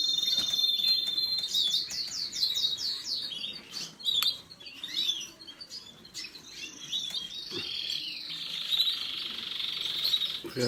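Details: Canary song in broken phrases: quick descending trill notes early, scattered chirps and short sweeps, then a sustained high rolling trill toward the end, with a few clicks and soft background noise.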